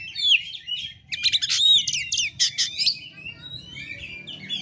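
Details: Fighting-style song of an oriental magpie-robin, a kept cage bird: dense burst of harsh chattering and whistled slurs peaking mid-phrase, then softer warbled notes, over steady low background rumble.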